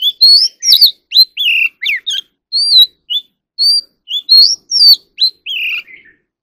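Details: Oriental magpie-robin practising its fighting song: a fast, rich series of clear whistles over six seconds. The notes slide up and down and mix with short flat tones and quick dropping slurs. The final note is lower and drawn out.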